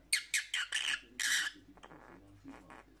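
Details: Lovebird squawks for lonely parrots: a quick string of five or six loud, raspy screeches in the first second and a half, followed by softer, fainter chatter.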